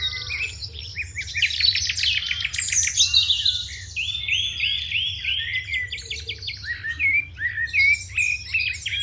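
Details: House sparrows chirping in the morning: a dense chorus of overlapping bright chirps and trills from several birds, then a run of repeated, slightly downcurved cheeps with a steady low background rumble.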